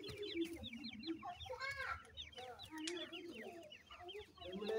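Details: Brown chicks of an Iranian partridge (irani teetar) being fed by a parent; thick stream of quick high peeps over repeated low, mellow clucking calls.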